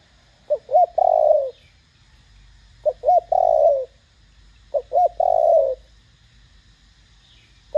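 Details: Loud, clear thổ đồng-style Spotted dove calling to provoke other doves into cooing. It gives three phrases about two seconds apart, each two quick hooked notes then a long rolling, slightly falling coo.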